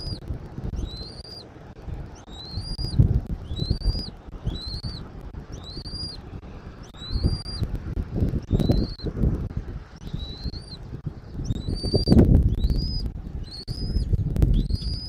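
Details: Bald eagle calling at its Southwest Florida nest, 13 January 2024, 14:17, nest camera: a long run of about twelve squeaky, upward-sweeping whistles, delivered steadily every second or so, with gusty low wind rumble throughout.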